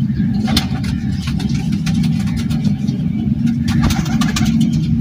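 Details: Loud running engine hum with scattered clatter and knocks, no animal sound heard.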